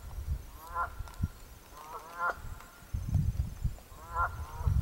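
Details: Canada geese, two birds at a pond in Jefferson, New Hampshire, trade three honks about one and a half seconds apart: harsh, resonant, slightly upslurred notes, with low rumbling noise underneath.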